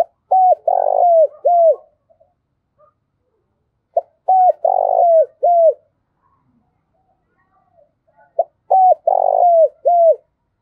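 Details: Decoy spotted dove cooing to draw in wild doves: three matching loud phrases about four seconds apart, each a clipped note, arched hoots, a long buzzy coo and a dropping end, in otherwise quiet surroundings.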